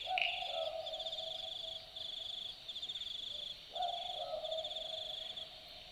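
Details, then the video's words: Australian boobook calling at night in the bush of Dharug National Park, Australia: two typical two-note boo-book calls about three and a half seconds apart, each dropping from a higher to a lower hoot. A pulsing high insect chorus plays behind them. "Boobook Owl Call - The sounds of an Australian Boobook calling at night"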